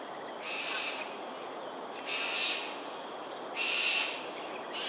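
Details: Cockatoos performing an aerial display, Sungei Ulu Pandan, Singapore, 7.43am, 13 January 2022. Three drawn-out, grating screeches rise out of steady noise at intervals of about one and a half seconds.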